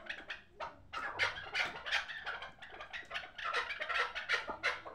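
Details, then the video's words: Last year's hybrid chukar partridge chicks, sold for fighting and hunting, call in quick, scratchy bursts of bright chuckling notes, around three per second, in pulsing runs. "Кабки гибрид"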